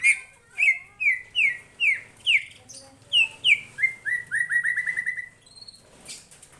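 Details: White-rumped shama singing energetically in response to a lure recording: a fast series of loud whistled notes sweeping downward, repeated about twice a second, ending in a rapid rattle of short notes and a few high chips.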